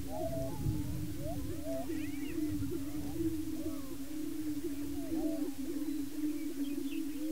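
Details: Displaying and fighting male Greater Prairie Chickens on a lek in Washington County, Kansas, contesting breeding territory; a deep continuous moan with scattered rising whoops, occasional higher squeals and cackling chatter over it.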